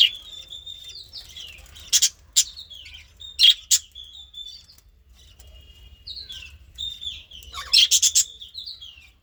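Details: Baby budgerigars (bajri birds) warbling in twisting whistled phrases, interrupted by sharp, loud clicking cracks around two and three and a half seconds and a rapid cluster of clicks near eight seconds; otherwise quiet between phrases.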